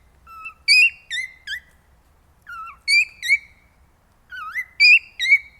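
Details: Male cockatiel singing to stimulate mating: clear, pure whistled phrases, each a low slurred note followed by higher rising and falling whistles, given in three groups separated by short pauses.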